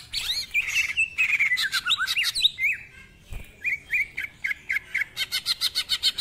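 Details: Greater green leafbird pouring out ngentrok song with mimicry: a long wavering whistle slides down through curling notes, a short gap, then quick clipped whistles speed into a harsh repeated stutter.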